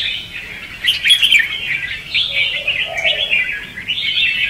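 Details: Competitive ché and xòe style singing of Red-whiskered bulbul, a lure recording for trapping and for prompting other birds to sing; quick chattering whistled notes in overlapping bursts, with a softer lower warble partway through.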